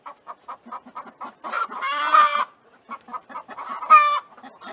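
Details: Evenly spaced soft clucks, roughly four per second, lead into a long, loud, harsh chicken squawk; clucking resumes and a second shorter squawk follows near the end.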